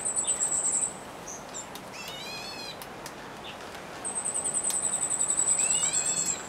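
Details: Black bulbul giving two nasal, harmonic, rising mewing calls about three seconds apart, while a loud, high, rapidly pulsed trill runs at the start and through the second half.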